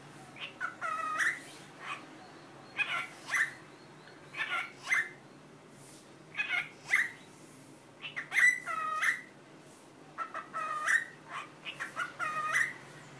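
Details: Talking pet cockatiel repeats its learned Korean hello, annyeong, about seven times over thirteen seconds, each a short cluster of harsh consonant-like clicks followed by a bent, tonal vowel sound, evenly spaced in a quiet room.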